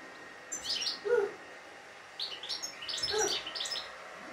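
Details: A European goldfinch with a good, flawless song sings in two short bursts of bright, tinkling twitters, with a lower, nasal note in the middle of each burst.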